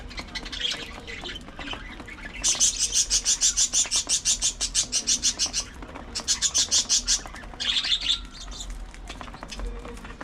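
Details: Budgerigars during early morning feeding time: a fast, regular train of sharp, harsh pulses repeated about three times a second in two long runs, with softer chirps before and after.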